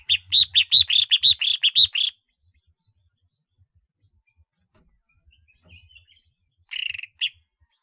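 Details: A collar-marked red-whiskered bulbul used as a decoy, giving a two-second volley of quick, ringing chirped notes, then silence and a final short buzzy double note.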